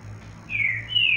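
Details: Captive female yellow-bellied seedeater, hand-raised from the nest, giving a thin whistled note that slowly descends, followed by a higher level whistle; a soft electrical hum lies underneath.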